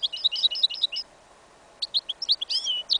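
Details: A yellow isabel goldfinch-canary hybrid in a field in winter sings a fast warbling run of chirps, falls silent briefly, then gives varied twittering notes and a drawn-out whistle.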